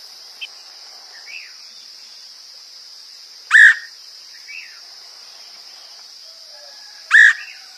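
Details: Woodpecker calls used as a lure: two loud, harsh single notes about three and a half seconds apart, with soft short chirps between them and a steady high insect buzz throughout.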